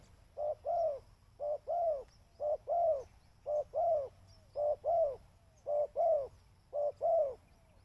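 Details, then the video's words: Spotted dove cooing used as a bird lure, each phrase a brief hoot followed by a drawn-out, downward-curving coo, evenly repeated roughly every second over a quiet low hum. "burung tekukur suara mp3"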